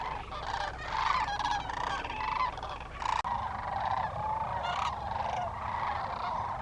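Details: Thousands of wintering sandhill cranes at Willcox, Arizona, calling together as a flock: dense overlapping rolling, trumpeting bugles near one pitch band, continuous throughout with many birds joining, a brief break past three seconds.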